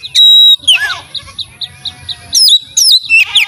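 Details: White-rumped shama singing melodiously: a long pure whistle, then sweeping slurred notes and a run of short rhythmic chips, ending with loud rising and falling whistled phrases.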